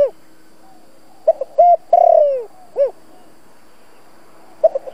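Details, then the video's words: Spotted dove giving a lure call to excite wild doves: spaced low coos in a broken pattern, a long falling coo near the middle, then a lone arched note and a few short notes at the end. "Chim cu gáy giọng cực chuẩn dùng kích bổi tập mồi hiệu quả"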